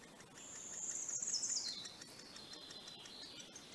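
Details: Great spotted woodpecker at its nest in the north of England, late May 2020: a high, thin, buzzy hiss that slides down in pitch and runs on for about three seconds, with faint ticking behind it.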